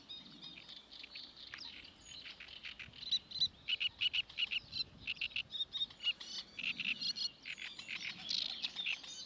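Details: Great reed warbler at Paxton Pits Nature Reserve, 28 May 2016: a run of harsh, chattering syllables repeated rapidly, with loud grating bursts in the middle and end and short pauses between phrases.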